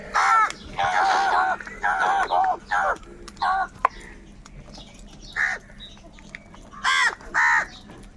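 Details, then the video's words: Crows fighting for food produce a rapid run of loud, hoarse caws at first, then scattered single caws after a quieter pause, several birds overlapping. "Crow birds loudly crowing sounds - কাকের ডাক Crow Sound | Kaka sound and noises of crow birds"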